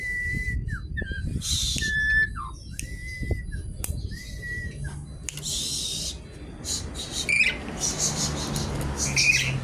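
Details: Javan pied starling giving repeated flat whistles that end in a downward slur, each about a second apart, then harsh chattering bursts later on, with low background rumble.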